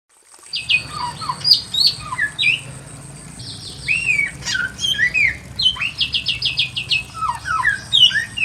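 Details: Pekin robin singing in a simple aviary: bright whistled phrases that slide up and down, mixed with quick chattering note runs and a fast series of repeated high notes. A steady low hum sits underneath.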